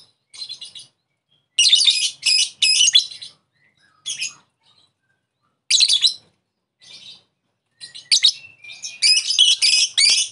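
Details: Lovebird lure call meant to make another lovebird call back: scattered harsh, high chirps and short chattering bursts with gaps, ending in a denser run of squeaky notes.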